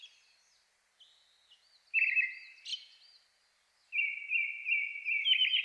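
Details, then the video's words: A Brown-headed thrush sings clear, level whistled phrases ending in a quick rolling trill in a dusk forest in the Shinetsu highlands in May, competing with a nearby Japanese thrush; fainter looping notes behind. "アカハラ 鳴き声"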